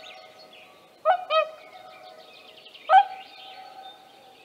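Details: Whooper swan with young in Tāši, Latvia, 15 May 2024: one double bugling call and then a single trumpet note about two seconds later, softer small-bird twittering running throughout.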